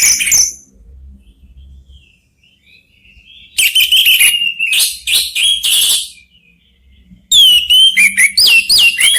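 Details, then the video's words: Orange-headed thrush, three caged birds answering each other as a song lure; short loud burst, near silence, then bursts of scratchy chatter and rapid looping high whistles. "3 ANIS MERAH BERSAHUTAN"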